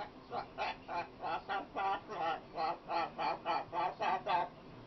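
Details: A pet female macaw produces a steady run of about fourteen evenly spaced, nasal, honking syllables, roughly three per second, across five seconds of continuous vocalising.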